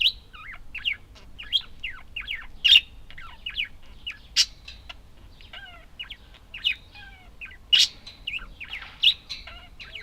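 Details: Several budgies keep up a busy, twittering chatter of short swooping chirps and squeaks, broken every second or two by louder sharp notes.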